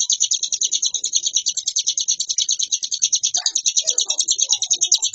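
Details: Ciblek gunung, or hill prinia, singing a varied nonstop ngebren song: an unbroken, shrill, rapidly pulsing trill, joined near the end by fainter, lower chirping notes.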